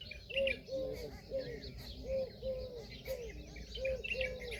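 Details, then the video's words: Peahen, a female Indian peafowl, giving short arched mid-pitched notes in an uneven series of about eight, with brief high chirps from small birds scattered above and a faint low background hum. "Peahen bird the Indian peacock/most clear sound"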